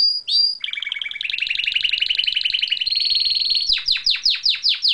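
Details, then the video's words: Canary singing at home outside its cage: after two short whistles, a rich rolling trill runs for about three seconds at a steady pitch, ending in a series of loud downward-sweeping notes repeated roughly every quarter second. "gaucho is singing outside of his cage as usual"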